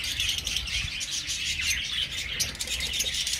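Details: Budgerigars in an aviary colony keep up a dense, continuous chorus of high chirps and warbled twitters, with wing flutters mixed into the steady chatter.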